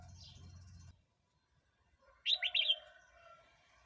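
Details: Red-whiskered bulbul song for provoking wild birds or teaching young birds: after a faint high note and low rumble, then silence, one loud phrase of four quick whistled notes.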